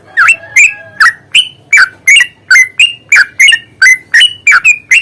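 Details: Fighting lure of the yellow-vented bulbul used to spur a bird to sing: a continuous run of loud, liquid, slurred notes, each a quick up-and-down flourish, about three a second.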